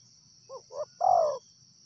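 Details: Wild spotted dove uttering one phrase: two brief hooting notes followed by a drawn-out, falling coo, over a continuous shrill insect hum.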